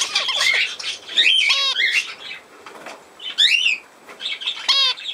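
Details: Recorded 17 November 2024, budgerigars trade short bursts of squeaky warbling and ringing chirps with quiet gaps between, including a quick swooping whistle.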